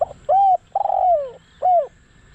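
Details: Decoy spotted dove calling to lure wild doves: a soft low hoot, a rising then level coo, a long descending drawn-out note and a final short falling coo, over a faint low background hum.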